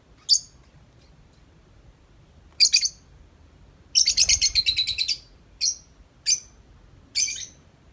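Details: Tame lovebird out of its cage, typing-like 'ngetik' chatter: sharp high chirps, then a fast rattling burst of about a dozen ticks, followed by more single chirps.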